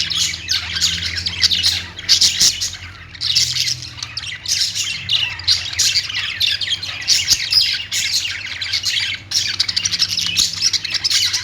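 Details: Long stretch of lively budgerigar chatter, dense rapid chirps, squawks and clicking trills in repeated surges, with a steady low hum throughout.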